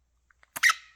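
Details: A male pet talking quaker (monk) parakeet gives a single harsh, buzzy squawk after two faint clicks.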